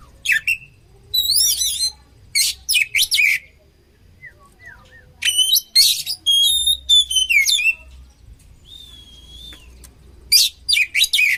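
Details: Oriental magpie-robin (kacer) song for training birds: clusters of harsh chattering notes and twisting whistled slides, with soft low whistles and a long drawn whistle in quieter passages.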